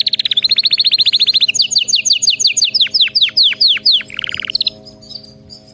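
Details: Canary song for training: a rapid run of short high notes, then a series of ringing downward-slurred whistles slowing in tempo, then a brief low buzzy rattle and soft closing chirps.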